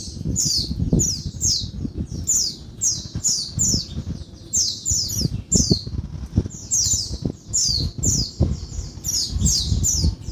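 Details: Female Oriental white-eye calling by day, a call said to stimulate males to sing: high, squeaky, downward-sweeping notes in quick bursts, repeated steadily, over heavy low thumping and knocking noises.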